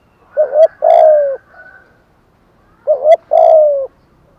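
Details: Decoy spotted dove cooing to lure wild doves: two matching phrases about two and a half seconds apart, each a quick rising doubled note followed by a drawn-out, slightly falling coo, in otherwise quiet surroundings.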